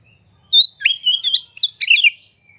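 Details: Oriental magpie-robin singing hard with its tail fanned, a recording meant to provoke rival magpie-robins to sing. One rapid phrase of bright whistles, slurred trills and buzzy high notes, then a soft trailing whistle.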